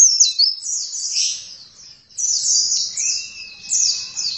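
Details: Oriental white-eye song in two energetic bursts: high, squeaky, rolling phrases of slurred notes, briefly dipping lower, joined by a thin steady whistle tone running under the second burst.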